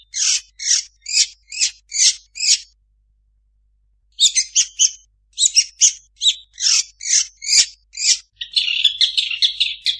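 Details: Long-tailed shrike (cendet) singing a song packed with imitations of other birds: bursts of harsh, high scratchy notes repeated about twice a second, a pause, then a varied run of chips and a dense buzzy chatter at the end.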